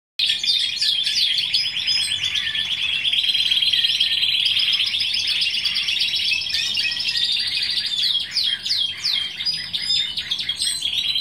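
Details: A Timbrado canary from 2015 sings a long, unbroken stream of rapid high trills and rolling, water-like tours, shifting pace every few seconds.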